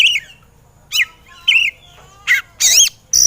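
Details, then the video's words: Agitated kacer (Oriental magpie-robin) on a training recording for lazy birds: a few separate notes, two downslurred whistles, then a raspy harsh burst and a final high whistle. "MASTAERAN BURUNG KACER EMOSI"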